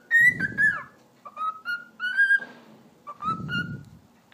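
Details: Pet cockatiel whistling short melodic phrases of clear descending and level notes, with low muffled bumps and handling noise underneath at the start and near the end.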